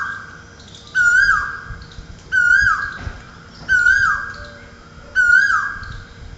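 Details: Cuckoo at a window in Ahmedabad, early morning at the start of the rainy season after summer heat, gives four loud, mellow, slurred notes, each lifting then sliding down, about every second and a half over a faint hum.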